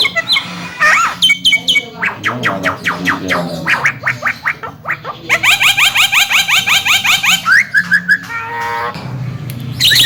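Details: A chattering Javan myna, a young bird said to talk and tipped as a future champion, pours out fast runs of sharp, sweeping notes in bursts several times a second, with occasional squawks over a faint low hum.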